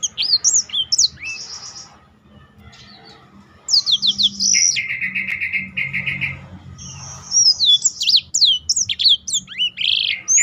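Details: Black-throated canary in long song, used for training other birds and prompting them to sing: high whistles, a pause, then buzzy rattling trills and rapid varied chirping phrases.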